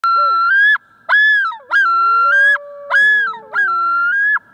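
A male common loon gives loud, ringing yodel phrases, each a rising note that breaks into a repeated wavering two-part wail, about every second.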